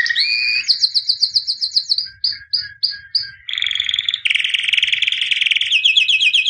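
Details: Singing white canary, albino, a championship bird: a rising whistle into quick repeated notes, then short separate chirps, a steady tone and a dense buzzy rapid trill.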